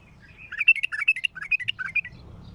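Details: Bulbul singing strongly in a raw, heavy-throated style: one continuous run of quick, bright, bouncing notes rising and falling, about a dozen in under two seconds, over quiet low rumble.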